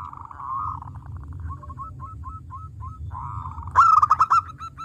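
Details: Local zebra dove (perkutut lokal) singing actively, used as a lure to stimulate other doves; soft rolling coos break into short repeated notes at an even pitch, then a louder, bright, trilled phrase near the end.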